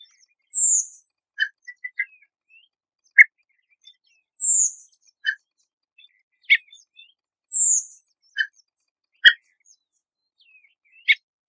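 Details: Redwing (Turdus iliacus) calling: a thin, high, falling 'tseep' note about every three and a half seconds, between soft lower chips and clicks.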